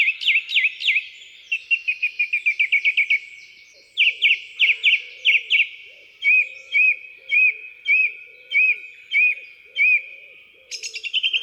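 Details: Song thrush in the UK sings short bright phrases, each always repeated several times: quick chirpy notes, then a clear slurred whistle given seven times, then a rapid twittering run, over a faint low hum.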